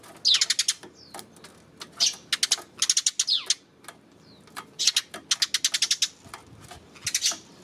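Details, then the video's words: Eurasian tree sparrows on 28 May giving rapid rattling series of sharp chirps, each burst of six to ten notes, broken by short pauses and an occasional thin slurred call. "今日のスズメ 5月28日"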